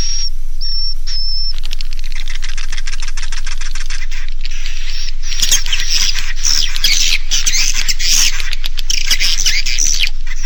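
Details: Edible-nest swiftlets, a roosting call used by swiftlet farmers to draw young birds in to roost: a few brief high whistles open, then dense, buzzy, overlapping chattering from many birds, with rapid clicking throughout.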